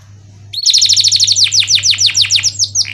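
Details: Canary singing for tutoring reluctant singers: after a quiet start, a rapid string of about twenty bright falling notes ends in a lower buzzy note.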